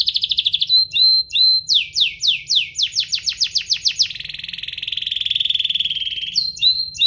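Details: Canary song played to make other canaries respond: rapid pulsed trill, steady whistles, a long series of descending sweeps, then a sustained buzzy rolling trill swelling and fading.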